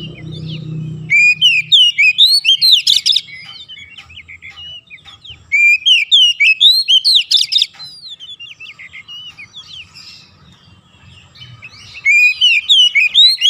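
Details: Oriental magpie-robin singing nonstop (ngoceh gacor) to stir lazy birds into song: three bursts of rapid, varied whistled and chirping notes, sweeping up and down at high pitch, with short quiet gaps between bursts and a faint low hum.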